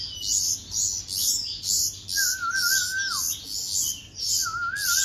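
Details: Begging bulbul chicks during hand-feeding: rhythmic high, rasping chirps roughly twice a second, with a wavering tonal whistle in the second half.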